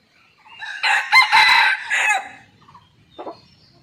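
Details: Red junglefowl in the wild, secretly watched from a set camera, highly active this morning after a storm, gives one full crow: a harsh rising opening, a long rasping held section, a falling end, then a faint short cluck.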